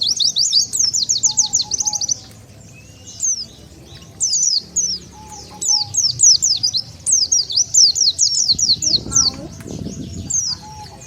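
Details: Lure call of the Oriental white-eye for gathering wild birds: repeated bursts of rapid, very high thin chirps with short gaps, and a brief low noise near the end.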